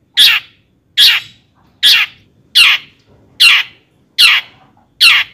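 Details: Seven loud, grating rasps from a long-tailed shrike, spaced roughly every 0.8 seconds, given as a lure to make other shrikes sing.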